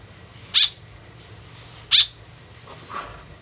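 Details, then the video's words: Two short, harsh, buzzy calls of a white-breasted woodswallow used as a lure, about one and a half seconds apart, followed by a faint softer sound. "BURUNG KEKEP BABI GACOR SUARA JADI PIKATAN . SUARA BURUNG KEKEP MENDEKAT"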